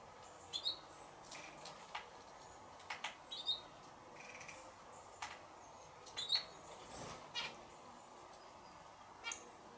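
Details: Indian silverbill from the introduced population spreading around Nice, France: a few short, sharp high chirps at irregular intervals, some doubled, over a steady background hiss with faint clicks.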